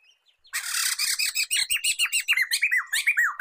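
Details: Black-throated laughingthrush song for training other songbirds: a harsh, noisy rasping burst opens into a fast rhythmic series of loud, swooping, downslurred whistled notes.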